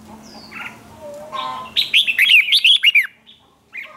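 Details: Red-whiskered bulbul singing a contest song to goad rival birds: after some soft, faint calls, a loud burst of about a second of quick, looping whistled notes rises and falls. A new phrase starts at the end.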